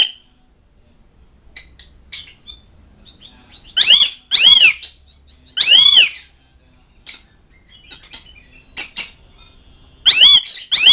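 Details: Asian pied starling calling to mates and rivals: loud harsh arched squawks in bursts of two or three, mixed with short chirps and clicks between them.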